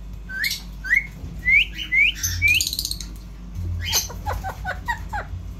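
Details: Indian ringneck parrot talking: several rising whistled notes in quick succession, then a run of short sharp chattering clicks and chirps, with a low hum in the background.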